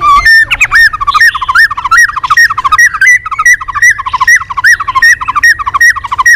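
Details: White-rumped shama in training, singing continuously in competition with tail flicking: a fast, steady stream of warbling two-part notes rising and falling, repeated about two to three times per second with bright high overtones.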